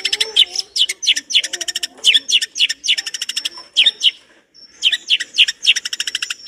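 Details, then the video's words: Long-tailed shrike singing a full masteran song with rich mimicked content: dense runs of clipped high chirps and hooked swept notes, harsh rattling stretches and a short pause before the rapid phrases resume. "Masteran cendet gacor dor isian mewah materi komplit"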